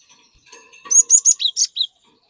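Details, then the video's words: Lure song of a cinereous tit to set an untrained bird singing: soft lead-in notes build into a fast run of about seven bright, high chirps, some dropping in pitch. "Burung Glatik Gacor Memancing Glatik Bahan Agar Ikutan Gacor Ngeplong"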